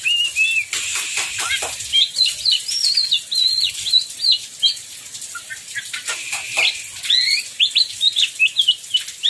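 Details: Kacer, an oriental magpie-robin, singing through heavy rain: bursts of varied whistled and chattering phrases, looping slurred notes, with a pause of rain noise and rustling between song bouts.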